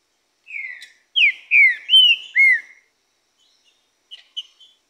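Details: Green-winged saltator (trinca-ferro) singing throughout its moult. A rich, loud phrase of four clear whistled notes, slurred and downward-curving, follows a softer opening note. Faint short chips come after a pause, against a silent background.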